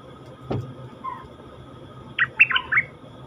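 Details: Cream-vented bulbul, a wild-caught captive bird held in a cage: a low thump and a soft whistled note first, then a quick burst of three bubbly, slurred notes near the end.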